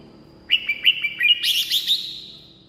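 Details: Red-whiskered bulbul, song played to draw wild birds or rouse caged ones: four quick clear whistled notes leading into a fast, bubbling warbled flourish that trails away.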